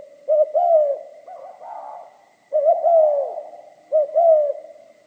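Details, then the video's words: Spotted dove song of the giọng pha kim type: three phrases of quick double coos trailing into a longer, softly falling note, with a murmuring coo between the first two phrases. "Tiếng chim cu gáy giọng pha kim"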